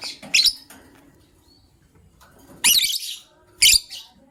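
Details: Caged lovebirds, gray and yellow-green, in the morning with a hen ready to lay eggs; harsh high chirps in short bursts, two loud ones near the end after a quieter opening, with faint room noise.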